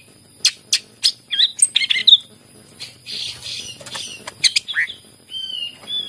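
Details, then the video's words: Greater green leafbird, used to prompt reluctant leafbirds to sing: a string of sharp high chips, then scratchy warbled notes and a few drawn-out whistles. "cucak ijo gacor masteran yang terampuh buat pancingan burung yang lagi susah bunyi"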